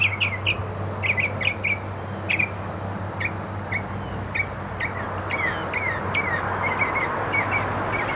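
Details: Evening mockingbird, recorded 6 October 2013 at 17:30, giving a loose run of clipped chirps and brief slurred notes, some doubled, spread over several seconds against a constant noisy hiss and low hum.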